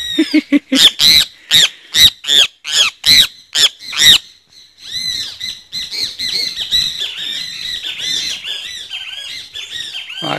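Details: Great kiskadee (Pitangus sulphuratus): a rapid run of about a dozen loud, harsh, screeching notes, then several birds chattering and squawking together in a dense, overlapping stream of calls.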